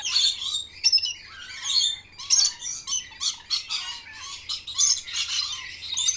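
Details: Green parrot at lunch time giving a busy run of harsh, high squawks and scratchy chirps in quick irregular bursts.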